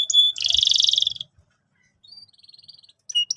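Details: Brief canary phrase from a training song for young canaries: a sharp whistle, a buzzy rattling roll, then a soft quiet trill and a final pair of bright notes.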